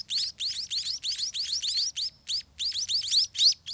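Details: Spotted munia nestlings, grown large and hungry, beg at a soiled nest as the parents bring food. Bursts of high, rising squeaky chirps pour out in quick runs with short pauses between them.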